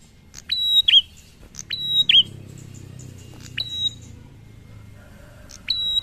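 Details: A prinia sings in the drawn-out ngalun style that draws other prinias into singing. Sharp, high whistled notes, each with a quick downward flick, come in pairs and are spaced by pauses of about a second. A faint low hum runs beneath.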